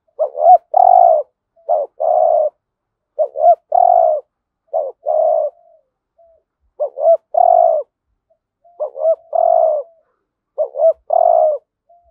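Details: Spotted dove lure bird giving urging coos in the hap boi voice to draw wild doves: a steady run of about eight phrases, each a looping note then a sustained coo, spaced around 1.3 seconds.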